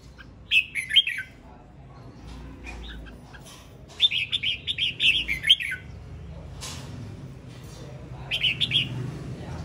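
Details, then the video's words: Male red-whiskered bulbul singing: three bursts of bright, warbled, rapidly varied notes, each lasting about a second, separated by pauses, over faint low background hum. "Tiếng chim chào mào trống hót"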